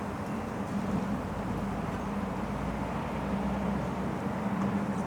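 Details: Steady roar of traffic with a low engine hum and no animal calls.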